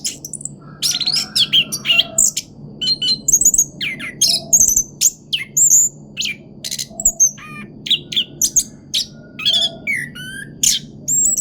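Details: Continuous rolling pancingan song from an orange-headed thrush: dense bursts of high whistles mixed with harsh clicking and rasping notes, delivered in quick packed phrases with short gaps. A low background hum is present.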